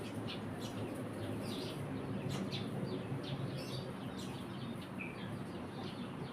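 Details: Caged Eurasian tree sparrow giving short, sharp chirps scattered irregularly throughout, some in quick clusters, over a steady low rumbling background noise.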